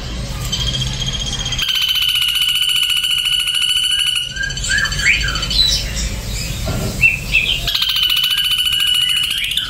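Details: Ashy drongo giving a long, even, grating buzz, then a burst of sharp, twisting whistled notes and squawks, before the steady pulsed buzz starts again; faint low rumble underneath.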